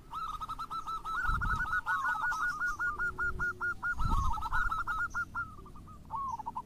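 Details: Zebra dove song to draw other local or crossbred doves into singing: long strings of quick, repeated coos, partly overlapping and warbled in the middle, over background hiss and a few low knocks.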